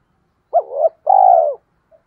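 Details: Decoy spotted dove calling to draw in wild birds, giving one low curved coo, then a sustained vibrating coo lasting about half a second, with no other sounds.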